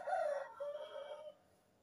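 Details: Before dawn, a more distant rooster gives a single crow, a bright opening note that eases into a sustained level tone and fades after just over a second.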